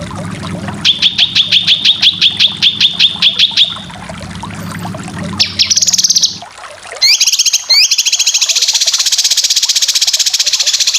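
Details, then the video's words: Master recording of cucak kinoy for competition bird training: a run of repeated sharp chips, then a short buzzy burst and loud rising trills leading into continuous rapid high chatter. "Masteran full besetan cucak kinoy"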